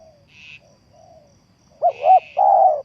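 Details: Spotted dove used as a decoy for trapping: faint low cooing early on, then one loud phrase near the end of two short, pulsing coos and a longer rolling croo. A buzzy, higher insect-like hum sounds twice alongside.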